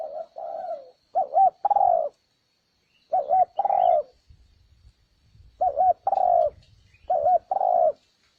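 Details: Spotted dove lure call used to attract wild doves: low mellow cooing phrases, each two quick wavering notes followed by a longer falling coo, repeated about every two to three seconds with faint chirps between.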